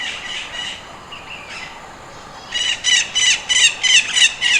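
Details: Slender-billed parakeet (Enicognathus leptorhynchus), call.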